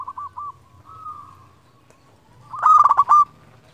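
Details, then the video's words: Zebra dove of local stock, used as a lure to call rivals: a few soft rolling coos, a pause, then one loud burst of rapid staccato cooing. "Perkutut lokal gacor Ahlinya memanggil lawan"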